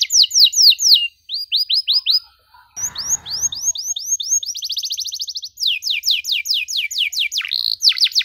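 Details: Energetic canary song, long-bursting and richly varied, for young canaries to imitate: looping high swept notes and a fast buzzy trill. A short noisy scrape briefly interrupts partway through.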